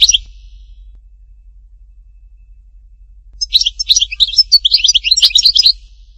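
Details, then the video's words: European goldfinch, Htatba, Tipaza: a brief note, about three seconds of quiet, then a lively burst of high, jangling twitters and chirps lasting around two seconds. "chant chardonneret htatba tipaza حسون حطاطبة"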